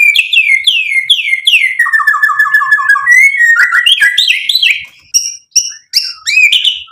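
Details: White-rumped shama song played to provoke other shamas into answering and singing fully: loud, varied whistled phrases, first descending slurred notes, then a fast run of short repeated lower notes, followed by rising and falling notes and high sharp accents.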